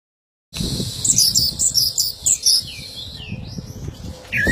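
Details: Female orange-headed thrush giving a rapid run of high, sharp chirping notes, followed by a few thin sliding whistles and a brief later note, over a steady low rumbling background.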